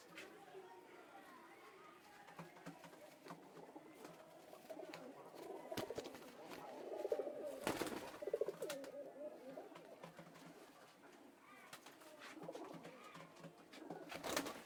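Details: Pigeons kept for sale, heard as a flock of low, throaty coos overlapping in a steady murmur, with sharp clicks and shuffling from the birds, a burst of wing noise midway, and faint human voices.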